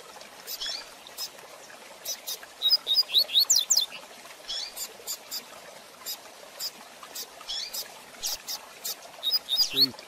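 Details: Rusty-collared seedeater singing its fast Tui Tui Zel Zel de Fibra style song, a training recording for teaching young birds: a burst of high, rapidly repeated rising whistled notes at mid-clip and again near the end, over steady dry clicking ticks.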